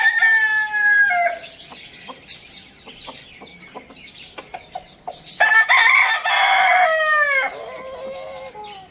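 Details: Morning crowing from a rooster. It opens with the tail of one harmonic crow, then quiet clucks and clicks follow, and a second long, loud crow comes that holds steady and slides downward over about two seconds.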